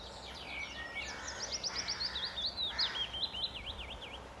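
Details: June 2014 willow warbler, a male holding his patch in trees by Standalone Farm pond, Letchworth: a rapid series of thin, sliding high notes falling in a ripple, ending in several quick repeated notes.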